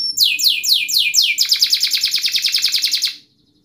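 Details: Tight, fast canary song as a tutor for young canaries: five loud downward-sweeping whistles, then a quick steady trill that stops abruptly into silence.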